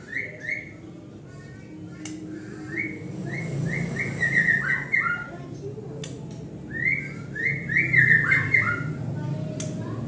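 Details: White-rumped shama singing to provoke other birds into song: varied clear whistled phrases, some sliding up and others dropping, delivered in two bursts over a steady low hum.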